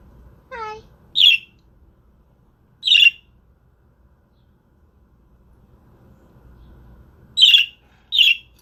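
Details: Pet budgerigar father guarding the eggs utters short harsh squawks, two close together then a long pause and two more, preceded by a brief rising whistled note; quiet indoor background.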